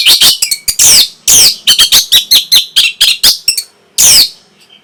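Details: Orange-headed thrush song aimed at stimulating breeding arousal and a response: a rapid, loud series of sharp, slurred chip notes at about four per second, ending in one long harsh note after a pause.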